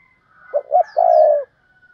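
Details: Caged decoy spotted dove calling in the thúc bổi style to lure wild doves: two short, soft coos, then a longer, steady, mellow coo. A faint high whistle runs in the background.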